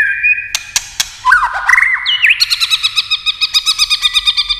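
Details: White-rumped shama in combative, many-voiced singing: a held whistle and scattered sharp clicks, then twisting slurred notes leading into a fast, regular train of repeated chirps.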